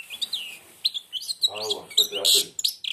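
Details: Blind European goldfinch singing with its beak almost closed: bright high twittering notes and quick rising-falling slurs, interrupted midway by a man speaking Arabic close by.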